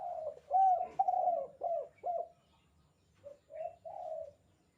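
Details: Kuk 2 calling of a spotted dove, intended as a master call for training: loud, throaty coos in quick succession, then a pause and a quieter three-note phrase of soft hollow coos.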